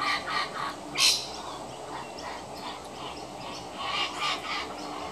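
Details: Adult kookaburra feeding one of its young; harsh, broadband squawking bursts, loudest just after one second and again around four seconds, separated by quieter gaps.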